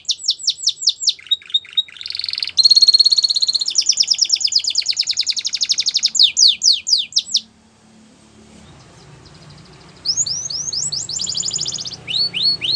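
A Belgian canary sings high, fast trills and rolling, buzzy phrases of rapidly repeated notes, pauses briefly, then resumes with bright, sweeping chirps.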